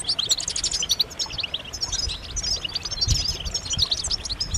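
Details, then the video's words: Chorus of European goldfinches, mating and readiness calls aimed at encouraging males to sing and get excited; fast, overlapping high tinkling notes and twittered trills fill the whole stretch, background quiet. "بتبتات جماعية رهيبة للحسون فعالة في تحفيز الحسون على التغريد والهيجان"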